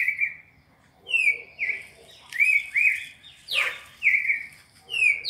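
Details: Captive-training song of a red-crested cardinal in a classic 4-note sequence: bright whistled slurs and a steep falling note over a noticeable hissy, busy background.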